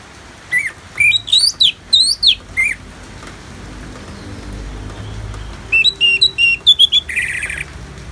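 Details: Orange-headed thrush singing 'ngeplong' over natural rain: a series of arched, rising-falling whistles, a quiet gap, then a rapid run of short notes ending in a harsh buzzy note.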